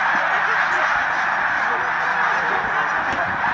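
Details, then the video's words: Migrating snow geese and Canada geese with tundra swans passing overhead at Middle Creek, Pennsylvania, 16 March 2015; thousands of honks merge into a steady, breathy roar, with scattered distinct nasal calls rising above it. "Mega Snow / Canada Geese Tundra Swan Flyover"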